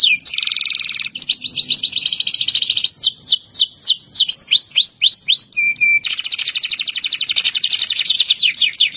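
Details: A local Indonesian canary sings a long rolling song meant to get other canaries singing. It has fast buzzy trills, then a series of sliding whistled notes, and ends in a long, rapid, rattling roll.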